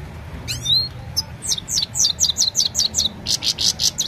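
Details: Evening recording of a Himalayan goldfinch on an Oppo A76 mobile: an upslurred whistle, then a steady series of about a dozen high, bright chirps repeated roughly every quarter second.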